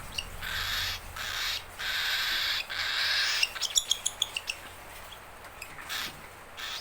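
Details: Hungry baby cockatiel begging for its owner with long rasping hiss-like screeches, then a fast run of about eight short clicking notes, ending with another harsh call; a low hum runs throughout.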